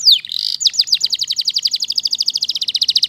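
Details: A Waterslager canary sings a few swooping whistles, then a long, very regular rapid roll of bright repeated notes that carries steadily to the end.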